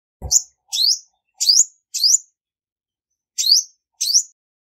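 A female Olive-backed Sunbird gives six sharp, very high chirps: four in quick succession, a pause, then two more. Nothing else is heard.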